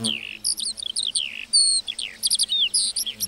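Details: In a meadow, a lark delivers quick, jumbled high notes: a descending slur, a long clear whistle, then clusters of sharp chirps.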